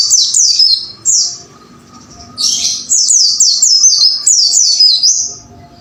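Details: Wucit wucit style white-eye song for tutoring caged birds to sing actively: repeated high, swooping falling notes in fast chains, broken by short pauses between bursts.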